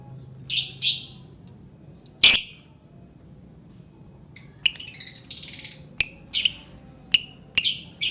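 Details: Lovebird song used to provoke other birds: scattered high, shrill chirps and harsh screeches with pauses, a burst of rapid twittering in the middle, low room hum behind.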